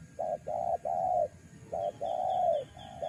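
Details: Spotted dove lure cooing with a fast run of hollow coos, several short and long in close succession, roughly two phrases within three seconds, with faint high whistles in the background.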